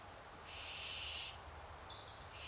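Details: Hungry barn owls begging: one long harsh hissing screech of nearly a second, broad and high-pitched, followed by quieter rasping traces and the start of another hiss at the end, over low steady background hum.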